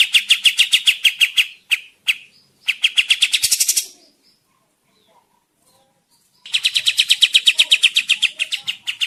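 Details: Kapas tembak (olive-winged bulbul) in full lively song, used as a forest trapping lure: rapid chattering chip series, a brief rising buzzy flourish, a pause of nearly three seconds, then another fast even run of sharp notes.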